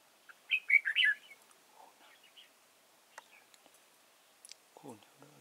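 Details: Decoy red-whiskered bulbul at Chùa Hương, Vietnam, 31 March 2018, sings one rich four-note whistled phrase. Scattered clicks, soft chirps and a low sliding squeak follow.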